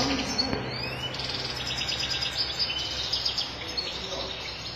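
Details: Sharmar European goldfinch noted for strong, mistake-free singing; softer, high tinkling twitters and short trilled phrases with a faint low hum beneath.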